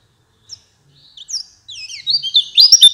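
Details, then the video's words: White-eye song from a lure recording meant for night and morning. It starts with a few sparse high chirps, then builds into a fast, twittering run of sharp rising and falling notes that grows louder and denser toward the end. "Masteran pleci, cocok untuk malam dan pagi, langsung nyaut"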